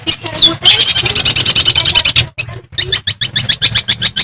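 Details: Madura long-tailed shrike singing to stir up other shrikes: a falling whistle, then a long rapid harsh chatter of buzzy notes, a brief pause, and another fast rattling run.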